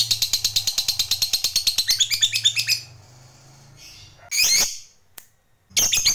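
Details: Lovebird of the fighter type giving its long chattering 'ngekek panjang' used to provoke rivals: about three seconds of rapid, harsh, evenly spaced notes, then a pause, one short shrill burst and a final harsh start.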